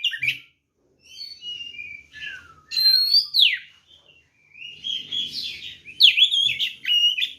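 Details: Fighting song of a white-rumped shama aimed at provoking other birds: whistled slurs, a steep downward sweep, scratchy buzzy passage and sharp chattering notes, with faint low knocking sounds.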